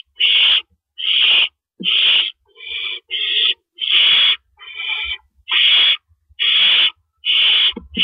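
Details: Owls at a nest before dawn on April 4, 2012, around 4:30 AM, while adults deliver and remove rabbits. Harsh, breathy hissing screeches, each about half a second, repeat roughly once per second, with faint low thumps between them.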